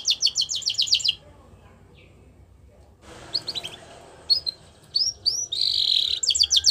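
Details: Canary song used for training young canaries: a burst of fast high trilled notes, a pause, then scattered whistles, a buzzy rolling phrase and a short quick trill over light background noise.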